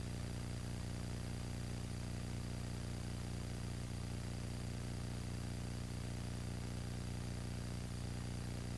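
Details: Constant electronic hum and hiss of static, steady and unchanging throughout, with no animal calls.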